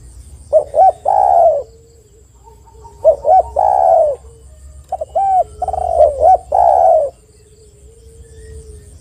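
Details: A spotted dove in full voice, played as a lure for other spotted doves: two short rising pips then a long hollow coo, the phrase given three times, a low steady hum filling the gaps.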